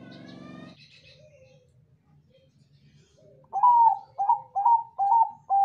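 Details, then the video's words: Zebra dove, Bangkok type, used as a lure to make other doves answer; after a short rough burst, a run of five clear, deep coos, each a quick upward note, repeated about twice a second. "perkutut Bangkok suara emas//ampuh untuk pancingan//suara besar"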